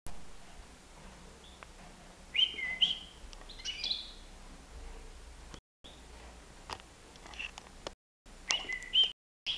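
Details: European goldfinch, a nine-month-old bird flying free in a living room, giving scattered bright, buzzy chirps and twittering notes in short bursts, with quiet indoor background between them.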